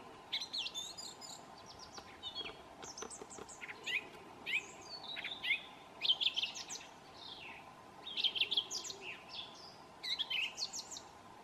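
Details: A thrush in New Zealand whistles its well-known tune: varied, loud whistled and chirping phrases in quick bursts, mostly high-pitched, over a steady low background hum.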